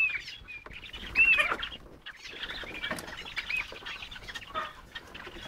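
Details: A tame crested partridge (roulroul) with its chicks gives soft clucks, with high, thin peeps running throughout and one clear whistled note that arcs up and down.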